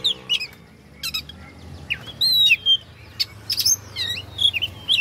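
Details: Oriental magpie-robin singing to provoke rivals: varied whistled slurs and short buzzy notes in quick bursts, some sweeping down, others rising, with a steady low hum beneath.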